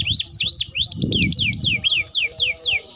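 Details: Lively domestic canary singing a long rolling song used as a lure and for tutoring young canaries: fast repeated downslurred whistles, about four per second, over a soft low background rumble.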